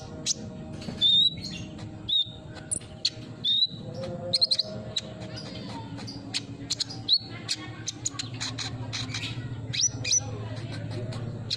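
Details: Sunbird song used as a lure to get a silent bird singing: rapid high, sharp chirps and short thin whistled notes, scattered irregularly and sometimes in quick bursts, over a steady low hum.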